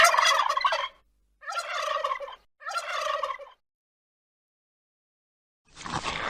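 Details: North American wild turkey gobbling three times, each a rapid, throaty, rattling burst about a second long with short pauses between, followed by a brief rough noise.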